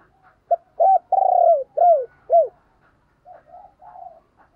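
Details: Decoy spotted dove calling to make other doves coo: a brief note followed by a long rolling coo and two falling coos, then softer, quieter coo-like notes trailing off near the end.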